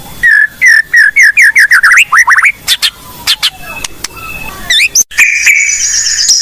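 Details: Lively Blorok white-rumped shama song used to lure other shamas: a quick series of rising whistled chirps, scattered clicks, then a long level high whistle.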